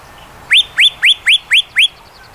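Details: Yellow-breasted chat song: six loud, clear upslurred whistles, each rising sharply then held briefly, spaced about a quarter second apart, over faint background noise.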